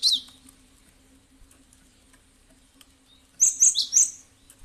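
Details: Cinereous tit calls played as a lure to make other birds answer and sing: one sharp high chirp burst, then after a quiet pause three quick, bright, high-pitched notes in a row, with a steady low hum behind.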